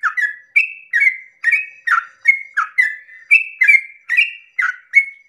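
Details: Yellow-vented bulbul at dawn, long 'ropel' song intended to spur other bulbuls to join in: brisk repeated whistled phrases, alternating higher level notes and lower slurred ones, about a dozen in steady rhythm, quiet surroundings.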